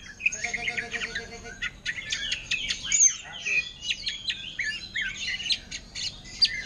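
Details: Greater green leafbird, caged, sings a thrush-style medley of sharp clicks, high chips and quick slurred whistles, densely packed, with a brief low buzz at the start.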